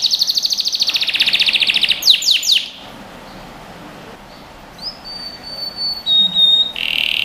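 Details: Canary song intended for training young birds: an opening fast buzzy trill and three quick falling notes, then a near-silent pause broken by a thin sustained whistle and a short harsh burst at the end.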